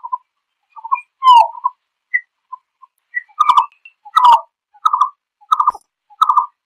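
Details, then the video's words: Green-billed malkoha calling to its flock: short, hoarse, low notes near one pitch, at first scattered with a few thin high peeps, then settling into a steady run of rough clucks about every 0.6 seconds, over silent background. "Tiếng chim Phướn kêu gọi bầy"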